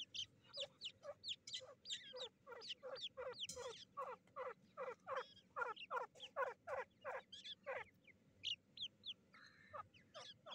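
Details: Young black francolins, called kala teeter, fighting: a rapid series of short sharp calls sweeping down from high to low, around a dozen notes in quick succession with brief gaps, then a few scattered thin high notes near the end.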